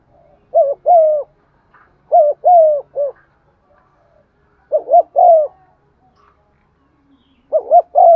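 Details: Spotted dove kept as a lure bird, cooing to stimulate rival doves; mellow, hollow notes in groups of two or three, phrases spaced a couple of seconds apart, with a faint chirp in the background.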